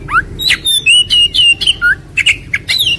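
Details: Kacer (Oriental magpie-robin) training lure song aimed at a quick, fiery response: long clear whistles and upslurred notes alternating with sharp chirps, roughly two phrases a second, varied and loud.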